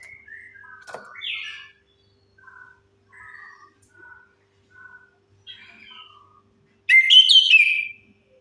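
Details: Orange-headed thrush singing, used as a lure to coax silent birds into song. A soft, varied string of short whistled and chattering notes with gaps ends in a sudden loud, high, rapid warbled phrase.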